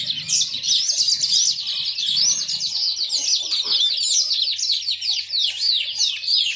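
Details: Caged yellow-fronted canary, yellow with dark streaks, singing a loud continuous run of high rapid downward-sweeping chirps and whistles, with a brief low rumble early on and a faint constant hum.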